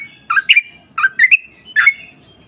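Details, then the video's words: Sooty-headed bulbul in energetic long rapid ropel panjang song, used as a lure for other bulbuls. Three groups of harsh, bubbly, slurred notes over a faint low background hum. "KICAU SUARA trucukan gacor ROPEL PANJANG"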